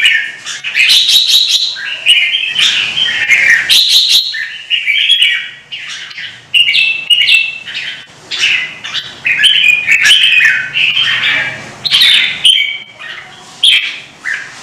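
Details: Long bout by a red-whiskered bulbul in a Vietnamese singing duel, provoked by a rival bird: an unbroken run of loud, varied whistled flourishes, some harsh notes and clicks mixed in.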